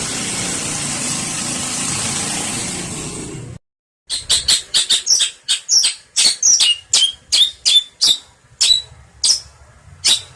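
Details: Long-tailed shrike tutor recording: a hiss of steady noise, then a brief silence, then harsh, loud chips and rasping notes repeated in a quick, uneven series.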